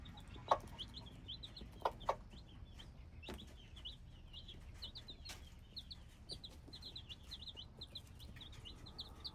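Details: Hybrid chicks peeping in a dense, continuous chorus of short high notes, broken by scattered sharp taps early on and a faint low hum.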